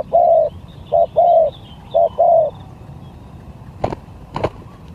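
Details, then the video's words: Spotted dove used as a lure during a singing contest, sigagap to jergot styles: a short coo, a longer one, then the pair repeated, followed by silence and two sharp knocks. "ADU SKIL#PIKAT SIGAGAP#SAMPAI#JERGOT"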